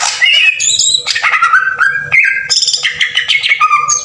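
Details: Green leafbird 'tembakan kasar' lure song meant to excite other birds into singing: a rich, fast jumble of whistles, harsh squawky notes and sudden high slurred phrases, loud and continuous with brief pauses.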